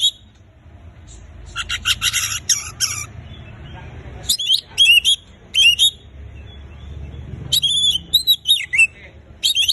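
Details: Oriental magpie-robin song for encouraging silent birds to start singing: an opening run of harsh rasping bursts, then sweet looping whistles, repeated slurred notes and a descending whistled flourish.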